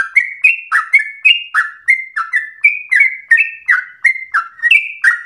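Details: Trucuk, the yellow-vented bulbul, singing a rapid, persistent, excited chatter meant to prompt other birds to sing and to serve as training song: quick bubbly whistles jumping between two pitch levels, several per second, no background noise.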